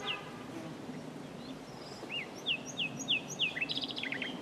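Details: Common nightingale delivering a series of five loud upslurred whistled notes about a third of a second apart, ending in a rapid stuttering trill, over soft background hiss.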